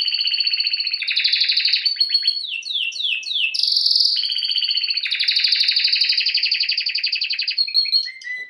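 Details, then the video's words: Canary in continuous song, rolling rapid trills switching between pitches, buzzy stretches and quick descending note series, one high whistled burst mid-phrase, ending in lower short notes. "Canary bird Singing"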